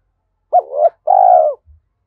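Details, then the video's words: Decoy spotted dove, thổ-style voice, with a single clean phrase: a quick hooked double note leading into a long, steady, slightly falling coo. One soft low knock follows. "Chim Cu Mồi, cu gay kich boi nhanh noi gù"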